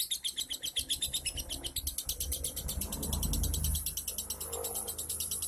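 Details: Lovebird song used as a prompt for a lazy lovebird that will not sing: rapid, dense chattering trill of short high notes repeated about four per second, with low background rumble.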